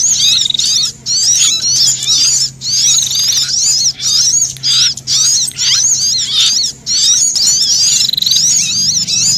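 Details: Alarmed sunbird, frightened and threatened, blended with a prinia in a wild-bird lure: bursts of frantic, very high squeaky twittering about a second long, separated by brief pauses, over a faint low hum.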